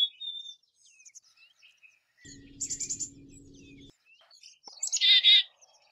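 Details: Black-capped chickadee calls: fading whistle, a patter of rapid buzzy high notes over a faint low hum, then loud harsh raspy notes to finish.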